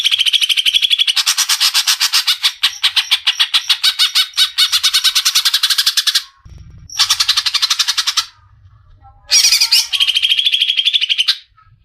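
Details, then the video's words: Greater green leafbird from Indonesia singing vigorously: extended fast pulsed chatter lasting about six seconds, a short pause, another buzzy burst, then a warbled phrase and a steady high trill. "MASTERAN BURUNG CUCAK IJO GACOR"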